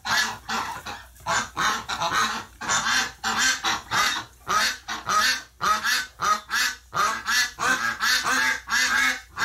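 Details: Flock of ducks reacting to the death of a flock member in hospital, November 30, 2018: dense, overlapping raucous quacks and honk-like calls, repeated rapidly and almost without pause.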